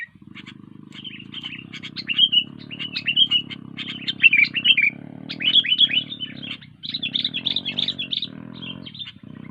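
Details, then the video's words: Energetic song of a sooty-headed bulbul: fast, bubbling phrases of twittering and slurred notes repeated over several seconds, heard over a steady low hum. "Burung kutilang gacor"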